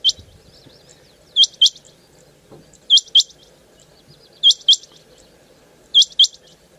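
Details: Female rain quail, known locally as chinga batair, calling: high, sharp metallic notes given in close pairs, each doublet repeated about every one and a half seconds against a quiet background with a faint low hum.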